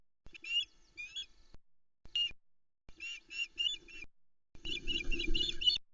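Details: Female osprey at a nest in the Arkaig Community Forest, Loch Arkaig, on 14 June 2020, squeaking with excitement as her mate delivers a large whole trout to her and the chicks; bursts of high, sharp, wavering squeaks in clustered runs, recorded by nest cam.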